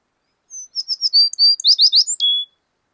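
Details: An American tree sparrow in Wisconsin sings a quick, high, sweet phrase of clear whistles and tinkling slurred notes lasting about two seconds, ending on a lower drawn-out note.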